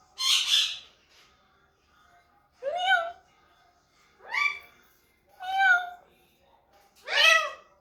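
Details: Pet talking parrot making various sounds: a harsh raspy squawk opens, followed by four rich, rising, voice-like calls spaced about one and a half seconds apart in a quiet room.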